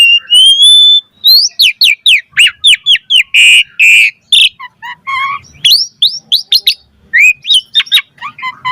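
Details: Asian pied starling in sustained song: a long level whistle, a fast run of upslurred notes, harsh grating bursts and chattering phrases that continue with varied whistles.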